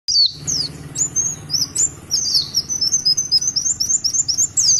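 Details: Oriental white-eye (pleci) singing in a long 'tulitwitwit' style, a master-quality performer: high thin descending whistled notes, then a fast even series of short chirps repeated several times a second.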